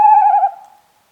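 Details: Tawny owl (Strix aluco), a nocturnal, territorial woodland owl: one hollow, steady hoot with a slight quaver, held about half a second before fading quickly into silence.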